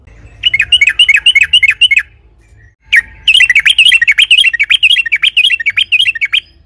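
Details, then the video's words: Sooty-headed bulbul in full, long rolling song, used as a lure to stir other bulbuls into singing: rapid chattering bursts of bright, bouncing notes, with a brief pause before the string resumes. "Trucukan gacor ropel panjang AMPUH,, pancingan TRUCUKAN AGAR BUNYI"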